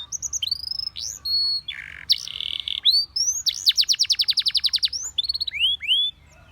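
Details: Canary song aimed at getting other canaries to sing: clear whistles, a short harsher buzzy tour, then a loud fast trill of repeated notes and final rising slurs.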